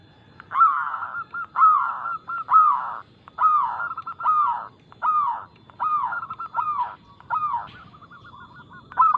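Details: Local Indonesian zebra dove in full song, a fast-tempo, loud, crystal-clear voice used as a lure to get other doves singing. Stuttering cooing phrases near one pitch repeat roughly every second, each opening with a sharp upward note.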